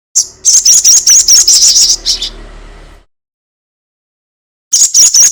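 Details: Lure recording of a crested jay's long chatter meant to make birds sing fast: a quick run of shrill, scratchy notes for nearly three seconds, a long pause, then another burst starting.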